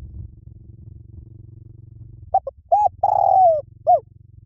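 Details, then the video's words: Spotted dove cooing in the liw tan song style, played to lure a trained dove into calling back: after a low steady hum, one phrase of short coos, a long drawn note falling at the end, then a final coo. "สำหรับเปิดล่อนกเขาใหญ่ฝึกต่อ ให้ขันโต้ตามเสียงนกเขาใหญ่หลิ่วตัน"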